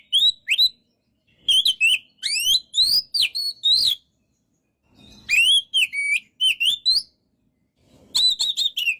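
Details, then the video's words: White-rumped shama, a kept songbird used as a training recording, singing loud clear whistled phrases between 2 and 5k, rising and falling slurs in quick bursts separated by short pauses. "MASTERAN BURUNG KACER GACOR SEKALI"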